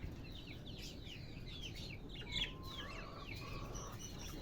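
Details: Budgerigars, called Australian bajri parrots, in a soft, busy chatter of short, rapid, twittering chirps that slide up and down, many birds overlapping, with a steady low background rumble throughout.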